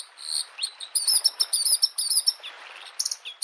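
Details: Bluethroat singing in spring beside a lake: a quick run of high, thin chirps and twittered, slurred notes, some buzzy, delivered in an uneven stream, with a brief pause before a final sharp burst of notes.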